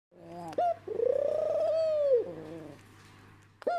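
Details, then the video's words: A pet ringneck (Barbary) dove bow-coos very close to the microphone: a brief note, then a long, smooth, hooting croon that swells and fades over about a second, with a low steady hum beneath. "bow cooing REALLY close! (ringneck dove)"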